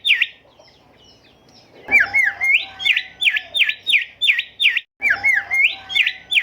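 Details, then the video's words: Golden whistler (bimoli, kancilan emas) song played to train caged songbirds: loud, sharp down-up whistled notes repeated about three times a second in two bursts separated by a short pause, with soft chirps at the start. "Merdunya Kicau Golden Whistler gacor"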